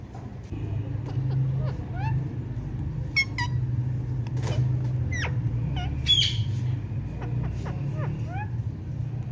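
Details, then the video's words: A female Indian ringneck parakeet chirps loudly, a string of short, sharp, rising and falling whistled notes spread across several seconds, with one harsher squawk, over a constant low background hum. "Ringneck Female Loud Chirping Sound"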